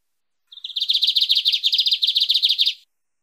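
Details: Lined seedeater, 'mateiro' song style, offered for training or warming up a pet bird: a high introductory note followed by a long, fast series of bright repeated chirps, around three or four per second, lasting over two seconds.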